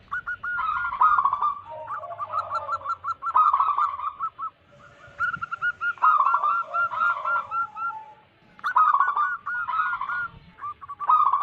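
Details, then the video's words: ['Several local wild zebra doves coo together as a lure for wild doves. Fast bubbling phrases in repeated bursts are separated by short lulls, with a softer lower coo underneath.'] "Lokal Alam gacor pancingan pikat burung perkutut"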